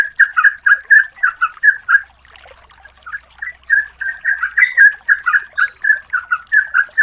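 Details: Yellow-vented bulbul female calling to a male as a lure. Quick, warbling notes tumble out in a dense burst, stop briefly, then resume in a longer rolling string of chattering phrases.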